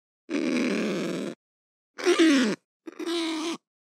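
A kakapo gives three harsh, grunting squawks, each about a second long, with short pauses between.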